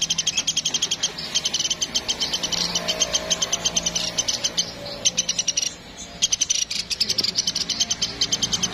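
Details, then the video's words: Woodpecker known as platuk Sampit, calling hard: bursts of fast, high, sharp notes with brief breaks in between, then resuming at the same quick pace, over faint low background hum. "Platuk Sampit Gacor"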